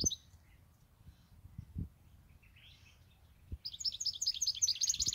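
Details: Goldfinch kept for eight years. A long quiet stretch with faint scattered notes, then a lively run of high, tinkling twitters and trills in the final second and a half.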